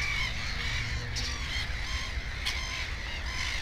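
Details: Black-headed gull at its nest with two chicks: repeated harsh, nasal calls overlapping one another, with several similar gulls calling nearby over a steady low rumble of wind or background noise.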